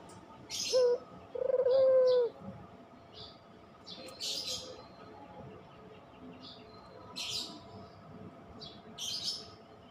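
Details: Puter pelung, a Barbary dove type, cooing: a brief low note, then a longer steady hollow coo near two seconds. Later the coos grow faint. Sharp high chirps from other small birds come and go.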